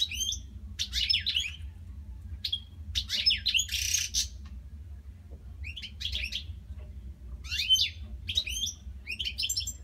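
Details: Captive European goldfinches singing at night, not stopping: bright, tinkling twitters in quick bursts every second or so, over a steady low indoor hum.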